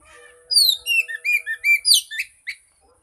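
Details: Oriental magpie-robin song played as a lure to prompt a silent bird to sing: a quick run of clear, slurred whistles, each note swooping down then up, about eight phrases in two seconds, over a faint steady tone.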